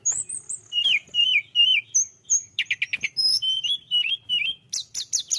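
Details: Tledekan gunung singing vigorously, for use as a lure for other birds: a lively run of high whistled, slurred notes, some rising and falling, with a quick stuttered burst and sharp high chips near the end.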